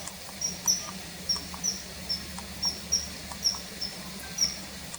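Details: Common kingfisher call taken from a field guide recording, laid over footage filmed in mid-March 2021 of the bird hovering and diving while hunting: thin, high, sharp whistles repeated about twice a second over faint background hiss.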